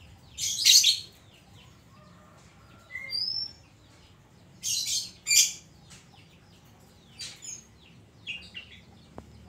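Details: Oriental magpie-robin (kacer), a kept songbird, singing energetically in the 'isian koslet' fill-in style: scattered harsh, scratchy bursts broken by a few short clear whistles, with pauses of one to two seconds between phrases.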